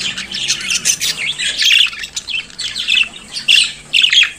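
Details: Pet budgerigar in morning song, soft chattering and scratchy notes with brighter chirps repeated about every half second near the end.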